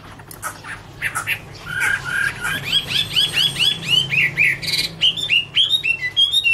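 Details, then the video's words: Chinese hwamei (Garrulax canorus) in its "Autumn Love Song" from 2017, a busy stream of clear whistles and short slurred notes, some harsher squawky elements mixed in, over a low steady hum. "" Autumn Love Song " Bird Garrulax canorus Singing- Birdsong"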